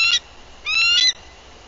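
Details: Female bald eagle arriving at her nest in Bluff City, Tennessee, on 14 April 2023, on guard and visually tracking, giving alert vocals on a nest livecam: a brief high squeaky note, then a longer stuttering burst of shrill, harmonic chirps.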